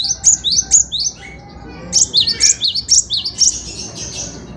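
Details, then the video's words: Cinereous tit (gelatik batu) singing vigorously, used as tutor song for training cage birds: high, sharp two-note whistled phrases repeated rapidly in bursts, with a short pause midway and faint background hiss. "Burung Kicau Gelatik Batu Gacor‼️Cocok untuk Masteran"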